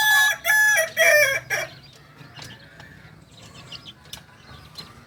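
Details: Two-month-old Kokok Balenggek chick from Tigo Lurah, Solok, crows in three loud separated syllables and a short tail within under two seconds, then quiet background with faint distant calls.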